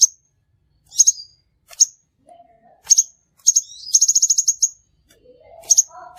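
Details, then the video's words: Crimson sunbird lure call for bird trapping: high thin chips spaced irregularly, a rapid ringing trill of about ten notes midway, with faint lower whistled tones near the end. "suara burung sepahraja ampuh"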